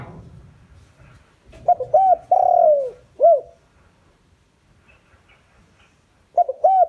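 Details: Spotted dove kept as a decoy, calling to lure wild doves: short bursts of low, mellow hooting coos, each note gently arched, in two phrases separated by a quiet gap.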